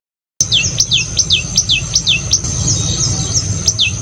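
A tailorbird gives sharp, high notes that slur downward, repeated about twice a second, over a thin steady high whine and low background rumble.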